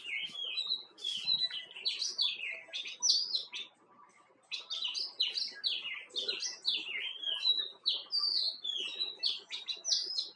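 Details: Himalayan (white-cheeked) bulbul, Pycnonotus leucogenys, calling: quick, bright chirps and short warbled phrases tumbling over one another almost nonstop, with one brief pause midway.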